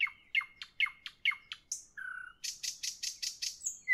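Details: Nightingale in the evening sings a repeated series of sharp, rising-falling notes, a short low whistle, then a string of loud, rhythmic, harsh chirps.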